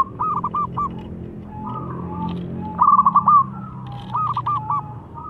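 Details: Local zebra dove song used as a lure to make rival birds answer and become agitated: three phrases of stuttering, rolling coos, each a fast cluster of short notes ending in sustained tones, with fainter, lower cooing between them.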